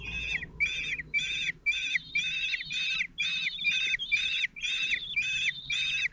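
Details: Common kestrel nest at Théding on 26 June 2023: a lone father feeds his four 16-day-old chicks. Harsh, strained calls with stacked overtones repeat about twice per second in steady bursts, with faint low rumble beneath.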